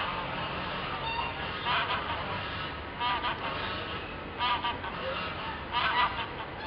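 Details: Ring-billed gull in Isabel La Católica Park, Gijón, Asturias, February, giving short, nasal, honking calls, each with a slight rise, repeated roughly every one to two seconds over a steady background hiss.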